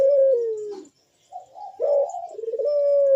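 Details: A puter dove's big, sharp bekur voice while perched: a steady descending coo fading out, a pause, then a bumpy rising phrase running into a level sustained coo. Played as a lure to invite other doves to call.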